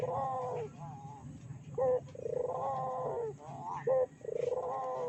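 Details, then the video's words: Barbary dove lure call meant to make other doves call: layered purring coos with short sharp accented notes between them, over a steady low hum in the background. "PANCINGAN BURUNG PUTER GACOR!!! BURUNG PUTER MANA SAJA PASTI EMOSI"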